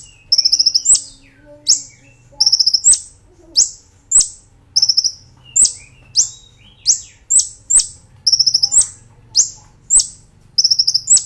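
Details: Brown-throated sunbird training master for cage birds, nembak ngerol song: repeated short high rattles, each followed by sharp rising whistles, in a regular rhythm over a faint low hum.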